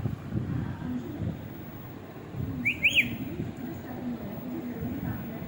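A pet rose-ringed parakeet gives one brief, clear whistle of two quick rising-and-falling notes, over a steady low rumble of room or traffic noise.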